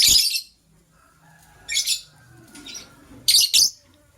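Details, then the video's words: Pair of white lovebirds in the morning: loud, buzzy, high chirps, with one opening burst, a doubled chirp midway and a final fast doubled chirp, separated by near silence. "White LoveBird Chirping Sounds"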